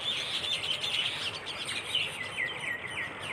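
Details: Flock of birds chirping at a dewy dawn beside a bend in a rural dirt path, by a misty field; dense, overlapping high twittering and short sliding chirps run throughout, with steady faint background hiss.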